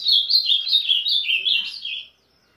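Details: A caged adult male Ultramarine Grosbeak, the breeding father of a five-month-old chick, calls out in sunshine with a loud, rich warbled phrase of about two seconds, quick notes stepping gently downward before a final slurred flourish.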